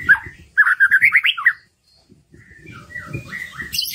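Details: White-rumped shama singing, used to spur reluctant birds: a fast, rolling series of rich whistled notes, a pause, then softer warbles with a burst of high twittering at the end.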